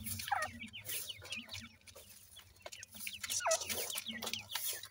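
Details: A group of francolin chicks being fed, calling with brief descending peeps, some higher and some lower, among clicks and a faint low hum.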